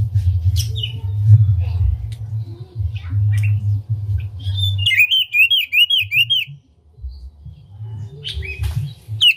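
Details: Oriental magpie-robin singing an unusual song with tail open, to rouse other magpie-robins. Sparse whistled notes over a loud low hum lead to a quick run of about eight repeated down-slurred whistles, then a few sharp notes.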